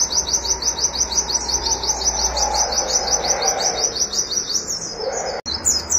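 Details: Rapid 'nembak' shooting song of an oriental white-eye, wit-wit notes: a continuous stream of shrill, rising chirps for about five seconds, then a short click and a final high note, over low steady background hum.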